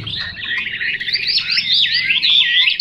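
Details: Chinese hwamei in full song, a fast, fluid stream of swooping whistled notes with quick rising and falling slides, growing louder and clearer toward the end, with faint low hum beneath.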